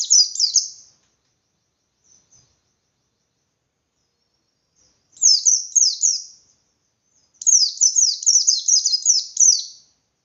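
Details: Caged white-eye singing the insistent 'ngalas' style, meant to stir rival white-eyes to answer: short bursts of high, quick downslurred chirps, a brief opening phrase, then two longer rapid phrases after a silent gap.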